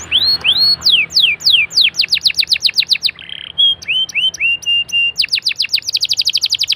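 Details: Canary singing to coax other canaries into song: descending whistled sweeps repeated quickly, a brief buzz, a series of upslurred notes, then a fast rattling trill.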